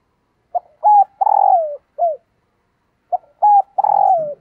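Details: Female dove calling to excite males, giving two phrases about two and a half seconds apart. Each has short clipped notes, a longer buzzing coo that falls away, and a final short dropping note. The background is quiet.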